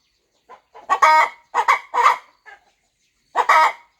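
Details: Hen on a farm nest readying to hatch her eggs gives a few loud, drawn-out nasal clucks in small groups separated by quiet gaps.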